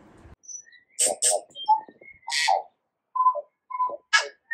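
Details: Tui in New Zealand by a flowering kōwhai tree, singing a varied phrase: hoarse broadband bursts mixed with clear mid-pitched whistled notes and thin high pings, separated by short silences.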